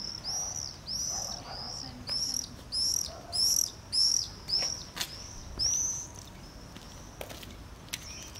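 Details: A Common Swift clinging to a house wall just below a nest entrance in Voorstenkamp, Nijmegen, Netherlands, gives shrill, buzzy half-second screams in a quick series after following another swift in; 21 July 2012.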